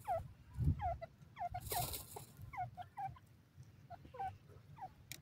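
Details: Francolin (junglee teetar) calling in forest: a rapid run of short, harsh, downward-slurred clucking notes, several per second, with a brief loud rushing noise near the middle and a low background rumble.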